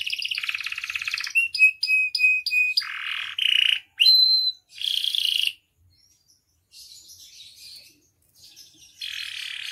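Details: Canary singing gacor with full isian, meant as masteran and pancingan: a buzzy trill, four clipped repeated notes, short rolls and a whistled note, then a quieter faint passage before another buzzy trill.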